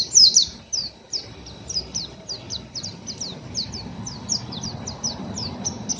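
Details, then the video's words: Oriental white-eye, a raw young caged bird, in rough ngeriwik chattering: a loud opening burst, then a steady series of short, high, downward-slurred chips, about three a second, over faint background noise. "PLECI NGERIWIK KASAR BURUNG MASIH BAHAN"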